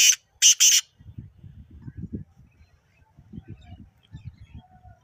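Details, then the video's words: Kala teetar, the black francolin, calling near Nawabshah, Pakistan: a short burst of loud, scratchy, buzzing notes in quick succession, then only soft low thumps and rumble. "Kala Teetar Ki Awaz | Black Francolin"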